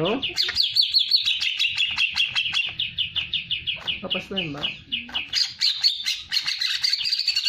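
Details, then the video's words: Hyperactive greater green leafbird singing to provoke other birds: rapid rhythmic high chips in long runs, some harsher squawk-like lower notes midway, then a dense scratchy warbling series near the end. "Pancingan Cucak ijo hiper aktif"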